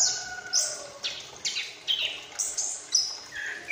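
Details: Chestnut-capped thrush, a young bird just out of spotted juvenile plumage, practising twittering subsong as it learns full song: a steady series of high, buzzy descending slurs, roughly two each second, with faint background hiss.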